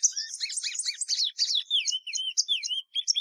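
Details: Sporophila plumbea, the plumbeous seedeater, delivers a fast twittering run that settles into repeated clear, slurred whistles rising and falling.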